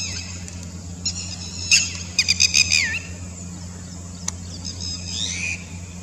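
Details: Red-wattled lapwing giving its typical 'Did you do it?' call in clear response to another bird on the other side: sharp, high repeated notes in a quick burst, with a steady low hum throughout.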